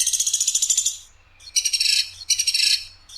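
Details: Woodpecker known locally as platuk sampit, from an Indonesian tutoring recording praised for a clear voice with rough, sharp bursts: a high, dry rattle of fast pulses for about a second, then two shorter rattles after a pause.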